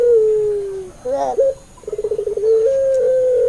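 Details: Puter pelung dove song used as a lure for other doves: a long gently falling coo, a short wavering break, then a quick pulsed trill flowing into a steady held low tone.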